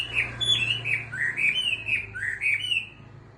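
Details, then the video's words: Caged Chinese hwamei about six months in the cage, regaining form after molting, sings a run of loud, slurred whistled phrases that rise and dip, with several notes a second; a low hum runs beneath. "Hoạ mi bổi 6 tháng lồng"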